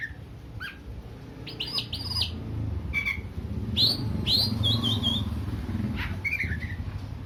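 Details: Oriental magpie-robin song used to make a less combative bird more aggressive; scattered high whistles and sharp rising notes in loose clusters, with a continuous low rumble behind.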